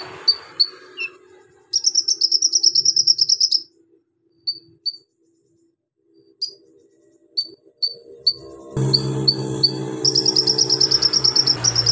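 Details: Van Hasselt's sunbird (kolibri ninja) with imitated golden grasshopper, lovebird, cricket and cililin: high chips and a long rapid trill, spaced single notes, then renewed trilling against a sudden loud broadband background noise.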